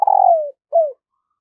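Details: End of a decoy spotted dove's morning call to wild birds: a long, mellow, downward-sliding coo followed by one shorter falling coo. The setting is quiet.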